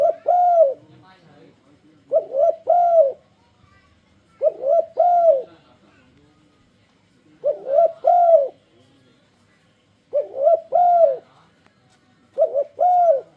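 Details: Spotted dove cooing to entice other doves to join in singing: six evenly spaced phrases roughly two seconds apart, each a short hoot followed by a rolling double coo, with a faint low hum between phrases.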